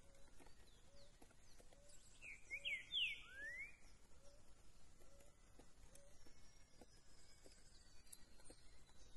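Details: Green-winged saltator, a fast singer in the curricutil-to-boi com cuicado song style, recorded 13 September: one bright whistled phrase ending in a rising slur, amid a soft low note repeated regularly and quiet distant birds.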